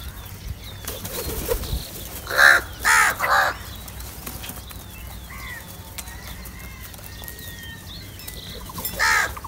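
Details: Crows squabbling over cheese and salty food: wing flaps and rustling, then a burst of three harsh caws in quick succession, quieter calls, and one more caw near the end.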